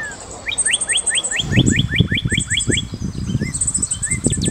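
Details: Red-crested cardinal song, a long fast string of bright rising whistled notes repeated several times a second, over constant high twittering from other birds and low rustling and thumping noise.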